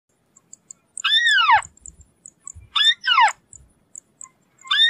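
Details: White-browed crake, also known locally as Matang Bayani or Tikling Kabayo, giving three loud, squealing calls that slide steeply downward, the last cut off at the end, with faint ticking notes in between.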